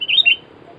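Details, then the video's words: Sooty-headed bulbul, recorded during a bird-luring session in which two birds were caught: one brief bright phrase of two or three quick, slurred, fluttering notes, gliding up then dropping, followed by quiet. "mikat burung kutilang poin 2 ekor"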